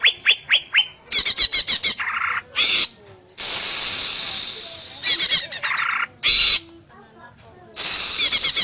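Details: Greater green leafbird song played to prompt other leafbirds to answer: a few sharp whistled notes, then stuttering chatter and a long hissing, rasping passage alternating with brief twittering phrases.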